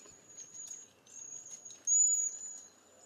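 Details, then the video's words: Cedar Waxwing uttering sustained, very high, thin whistles. The notes are slightly wavering and broken into long strands, with one louder strand near the middle and a quiet background. "Cedar Waxwing Bird Song"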